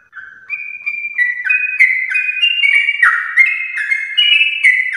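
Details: Morning 'gacor ropel' song of a sooty-headed bulbul, used to stimulate other bulbuls: after a short soft start, a continuous run of bright whistled phrases alternating higher and lower pitches, roughly three per second, with faint high clicks.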